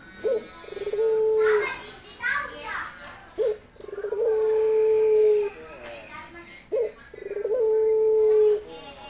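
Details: A male dove woos a female with drawn-out moaning coos. Each starts with a short clipped note and then holds a long, steady, slightly falling tone, repeated about every three seconds in a quiet room.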